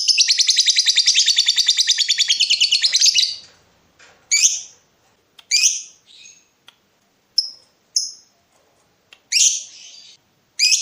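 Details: Lovebird calling out a rival while in breeding mood: a three-second buzzy, rapid trill of high notes, then scattered single sharp chirps and short squeaky bursts separated by silent gaps.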